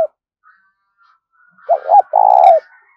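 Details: Decoy spotted dove giving urging and calling coos to lure other doves: after a quiet stretch, two quick rising coo notes run into a sustained, vibrating low coo, with faint higher chirps in the background.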